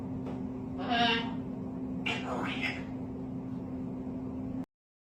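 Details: A pet African grey parrot mimics the human phrase "get over here" in two quick, voice-like bursts, scratchy and mid-pitched, over a steady electrical hum.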